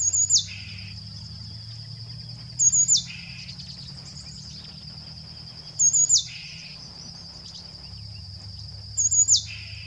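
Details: A Somali tit (Melaniparus thruppi), a scrub specialist, sings a short phrase about every three seconds: thin high notes sliding down into a lower, rougher note, over a steady high whine and low rumble.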